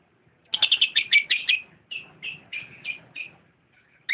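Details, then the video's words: Rapid series of shrill, slurred chirps from a lovebird, fast at first and then spaced into slower, downward-slurred squeaks about every third of a second. "Video kicau burung Lovebird"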